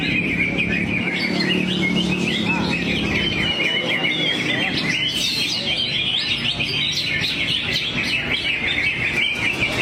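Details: Greater green leafbird delivering a varied repertoire while displaying with drooped wings: steady high warbling with sharp upslurred chirps and short trills, over low-pitched background hum and distant voices.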